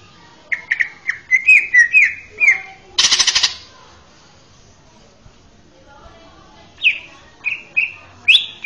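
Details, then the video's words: Male greater green leafbird with sweet song used as a model for training young birds: a run of quick slurred whistled notes, then a loud burst of harsh noise, a silent gap, and several falling whistles. "SUARA MERDU MASTERAN CUCAK IJO JANTAN!!!"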